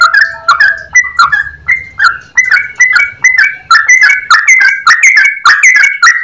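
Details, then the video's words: Clear-voiced yellow-vented bulbul delivers an active long rapid song of short, bright, repeated notes that speed up and grow denser toward the end. A low hum sits underneath at the start. "Trucukan gacor ropel panjang suara jernih"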